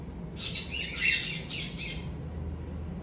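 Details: Hand-tame ringneck parrots giving a rough, buzzy chatter of harsh squawks lasting about a second and a half, pulsing several times a second, with steady low room hum.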